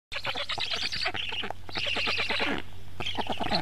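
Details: Black stork at a nest in Karula, Estonia, filmed by a live nest camera on 11 July 2017 around 10:31 as an adult brings frogs to the chicks; rapid harsh squawking pulses repeat almost without pause, with a steady low hum beneath.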